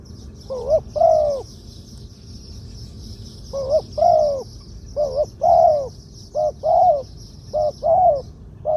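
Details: Spotted dove suited for decoy use, medium voice, two-kuk 'ku-ang' style: deep paired coos each followed by a longer swelling coo, in uneven bursts with pauses, insects droning steadily in the background.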